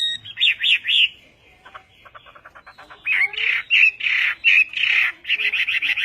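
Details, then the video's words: Western hwamei, a Chinese hwamei, in Vietnamese-style song: loud harsh, squawking phrases alternating with soft rapid ticking notes, then more grating burry bursts in quick sequence. "HỌA MI TÂY - TIẾNG HÓT VIỆT"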